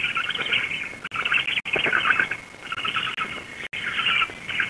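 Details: Black stork nest in Łódź, Poland, 16 June 2021 at 19:34, the adult female feeding chicks. Breathy, rasping wheezes arrive in short clustered bursts separated by brief gaps, a steady faint whine underneath.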